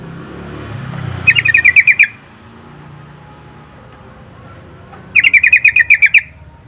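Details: Yellow-vented bulbul song used to lure and train other bulbuls into singing: two short bubbly bursts, each of about seven to eight rapid ringing notes, spaced roughly four seconds apart over a low rumbling background.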